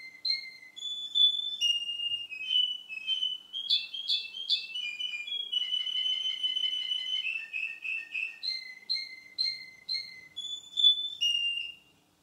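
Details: A male Russian canary sings a long, varied song of clear whistled notes, rapid trills and rolling tours, shifting pitch and pace throughout. Belgian canary.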